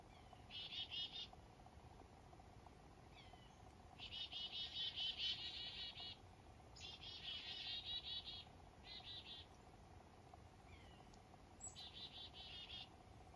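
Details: Morning calls of black-capped chickadees in fog while waking up up north: several bursts of rapid buzzy notes, each lasting about half a second to two seconds, separated by short gaps, with faint thin high notes between.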